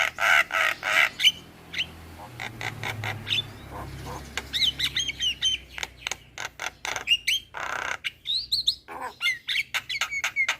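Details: Black-winged myna song used as a lure to get young birds singing: harsh broadband chatters and clicks mixed with short whistled upslurs, in irregular rapid bursts with brief pauses.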